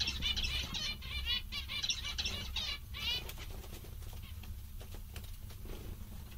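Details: Happy zebra finches chatter with dense nasal chirps in the first three seconds, then fainter scattered clicks and rustling over a low hum.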